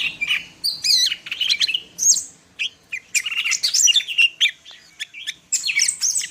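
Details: Greater green leafbird (cucak ijo) from Medan in full song, a rapid varied run of whistled slurs, sharp chips and buzzy notes, mostly high-pitched, delivered in quick bursts with short pauses.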